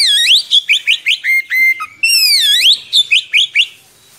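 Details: Oriental magpie-robin singing energetically in a long rolling song, suited to tutoring young birds: loud swooping whistles each followed by quick rising notes, with a flat held whistle between phrases.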